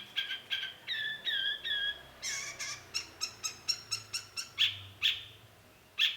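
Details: Cendet, the long-tailed shrike, in a lure song: drawn-out whistled notes, then a quick ringing series, closing with loud harsh rasps.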